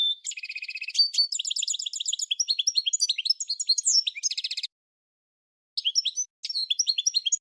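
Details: A singing goldfinch opens with a buzzy drawn-out note, then a long stream of tinkling chirps and trills for over four seconds, a pause of about a second, and more scattered sweet twitters.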